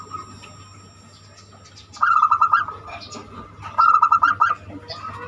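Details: Zebra dove with a unique banyumili-style voice, used as a lure to get other doves singing; two rapid trilled cooing phrases, each about half a second, over a steady tone and low background hum.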